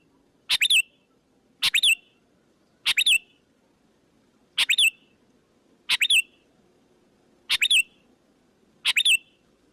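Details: Lure call of a sooty-headed bulbul meant to attract other bulbuls: seven evenly spaced bursts roughly every 1.2 seconds, each a quick rasp then two or three clear whistled notes that dip downward, with faint low hum behind.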